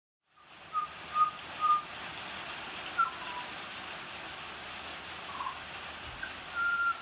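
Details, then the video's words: Butcherbird singing in the rain: three short, pure whistled notes in the first two seconds, another at three seconds, then a longer, slightly higher whistle near the end, all over a steady hiss of falling rain. "Butcher bird singing in the rain"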